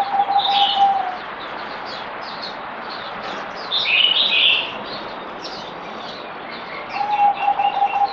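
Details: Kept zebra dove, locally merbok, recorded 17 April 2020 on the fourth day of a deworming course: two brief rolling, evenly pitched coo phrases at start and end, separated by bright twittering from other small birds.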